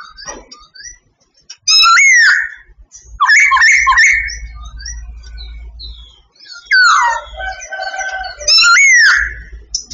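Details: Vietnamese Sooty babbler song: loud upward-flicking whistles in bursts about every few seconds, mixed with busier chattering notes and a level droning whistle, recorded indoors.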